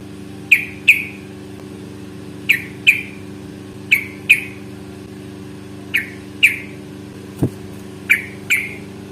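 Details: Yellow-vented bulbul, from a fighting-song lure recording meant to prompt answering birds: crisp paired chirps recurring every second or two against a steady droning hum, with one brief click.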